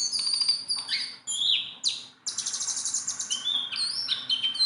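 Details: Tame Sunda bulbul giving fast high chirps mixed with clear upslurred and downslurred whistles, one short pause midway, then a dense rapid chattering run.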